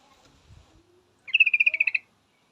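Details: Yellow-vented bulbul female calling out to a male with one clear burst of around a dozen quick, evenly spaced chattering notes lasting under a second, in otherwise near silence.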